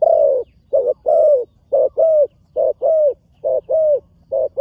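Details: Spotted dove, a young bird in training on its first visit to the dirt competition ground, cooing steadily: a short note then a longer, slightly falling coo, repeated in a continuous low, mellow series.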